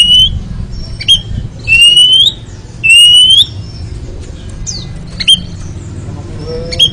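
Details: Oriental magpie-robin (kacer) recording for ngeriwik training: loud, clear whistles that rise steeply, repeated about every second, with sharp clicks between them over a low hum.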